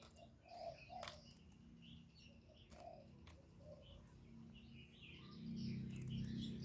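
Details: Spotted dove cooing and calling to provoke rivals: soft, low coo notes at intervals, with higher chirps from other birds and a steady low hum underneath.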